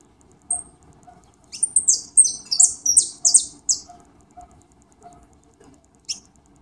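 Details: On a rainy day a European goldfinch gives a rapid, high-pitched twittering run of buzzy, tinkling notes lasting about two seconds, with soft lower clicks and a final sharp note.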